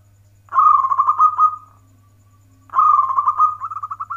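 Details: Zebra dove, local type, in manggung song of the warung kebek style: two vibrating cooed phrases about two seconds apart, the second ending in a string of quick rising notes; faint low hum throughout.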